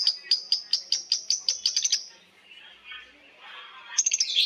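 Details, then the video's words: Lovebirds in a long ngekek chatter, several birds answering each other: a fast run of about a dozen sharp high chirps over two seconds, a softer hiss, then another quick burst of high notes. "Suara Lovebird ngekek panjang❗Suara bikin Lovebird Betmen vs vio vs paskun saling bersautan."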